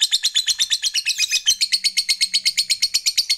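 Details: Fighter lovebird's ngekek chatter, used to provoke rival males: a steady burst of fast, harsh, high notes, about seven a second, continuing throughout three seconds, with a faint low hum behind.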